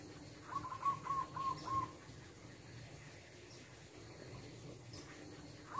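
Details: A wild zebra dove in a home yard gives a quick run of about six short, soft cooing notes, then a single note near the end, over a steady background hiss.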